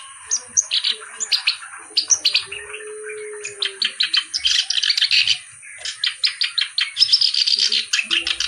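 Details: Clamorous reed warbler in vigorous, melodic song: bursts of harsh, rasping notes building into quick chattering sequences with brief gaps, and one steady low coo in the background.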